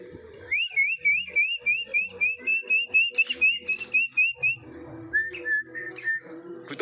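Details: Long-tailed shrike singing vigorously, a rapid chain of whistled zigzag notes repeated about four times a second, followed by a few lower slurred whistles, with a faint steady hum in the background.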